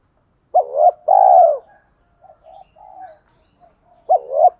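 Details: Spotted dove in the 'thổ pha đồng' song style, used to excite decoy doves. One clear phrase: a short doubled note, then a long warm coo, followed by a few soft low notes and the start of the next phrase.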